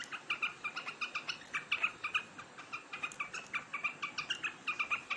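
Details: Big quail pecking at grain on 3 July 2021 gives a rapid, steady run of clipped, bright chirps, roughly six each second, barely pausing, over quiet background hiss.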